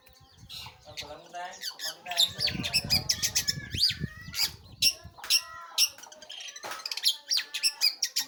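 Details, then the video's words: Pentet or cendet, the long-tailed shrike, singing busily: rapid high chips and trills in irregular bursts, mixed with a few looping whistled phrases and some lower rattling notes. "burung pentet/cendet gacor"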